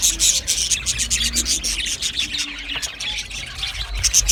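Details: Australian budgerigars singing and chirping, a sound the birds make when content: dense, overlapping high chirps and scratchy warbles, with quick irregular notes about four per second and no pauses, and a low hum underneath.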